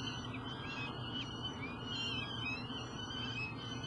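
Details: Young peregrine falcons heard from a nest box in Elk River, Minnesota, in mid-July 2012: a quick run of rising and falling whining calls, several in under four seconds, against constant low industrial drone.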